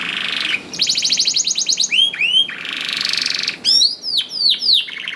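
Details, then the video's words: Lively canary song meant to prompt quiet canaries to start singing: a brief buzzy note, then a long rapid trill, paired upward-curving whistles, another dense trill and a run of quick falling whistled slurs. "KENARI GACOR DOR INI MEMANCING KENARI YANG SUSAH BUNYI JADI IKUT GACOR #145 || VOICE OF CANARY"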